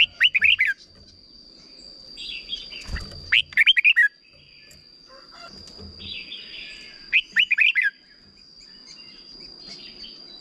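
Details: Red-whiskered bulbul repeating a short 'double' song used to train young birds: quick four- to five-note whistled phrases, with softer warbling notes and a brief low thump between them, plus a constant faint high tone.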